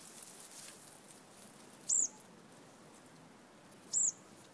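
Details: A fledgling olive-backed sunbird (Cinnyris jugularis), a baby chick heard but hidden up in vegetation, gives two thin, very high chirps about two seconds apart over a soft background hiss.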